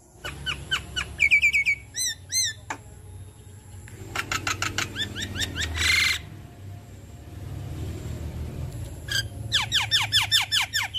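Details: An adult Javan myna sings energetically as a lure so other Javan mynas reply: a varied mix of clear whistles, rapid ticking bursts and a short burst of noise, then a quieter gap and fast descending whistles.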